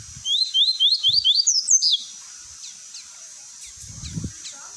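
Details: Double-collared seedeater (coleiro) singing the tui tui song style, used for training young birds: a fast run of about eight rising, slurred whistled notes lasting under two seconds, then faint distant chirps and low rustling.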